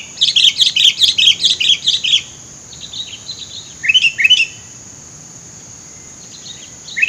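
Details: Sooty-headed bulbul among scrub, recorded for bird luring: a fast, excited run of about a dozen chattering bubbly notes, then two lower rising whistles and a later faint note, over a steady high whine.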